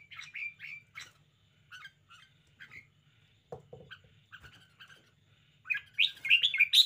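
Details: Red-whiskered bulbul in a spirited show: scattered short whistled notes, a low knocking noise midway, then a loud, fast warbling flourish at the close.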